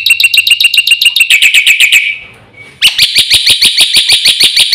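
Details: Quick, full song of a black-winged myna, played to trigger singing in silent mynas: rapid, shrill chips about four per second, a short gap, then a louder, ringing, buzzy series.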